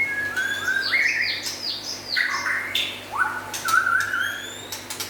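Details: White-rumped shama, local and forest birds, with chattering notes leading into bright flat whistles and a warbled rising phrase, steady hum behind.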